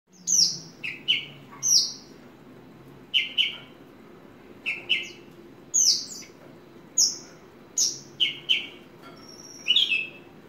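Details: Horsfield's bush lark, a ringed bird kept as a hobby, singing in short separated bursts of bright, high chirps and downslurred whistles, each phrase about half a second, spaced irregularly every second or so over a quiet background.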